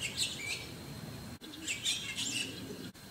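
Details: Squeaky, high chirps from a white-cheeked starling in two short clusters, with faint low background rumble.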